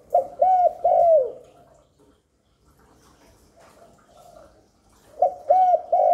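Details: Spotted dove giving coos meant to lure and excite newly kept doves: a phrase of two or three low hollow coos ending in a drawn-out falling note, a pause, then the phrase begins again.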